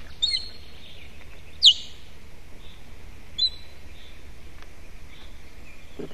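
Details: Osprey warning calls at the nest on a June morning, 2017, as its mate returns with a branch for nest decoration: three short, sharp whistled chirps spaced over a few seconds, with faint steady background noise.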